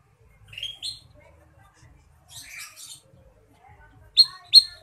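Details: Ruby-throated bulbul singing in a vigorous, crisp full-fill style: a few short bright chirped notes, paired near the start, a soft buzzy burst mid-clip, then two loud sharp rising chirps near the end, with quiet gaps between.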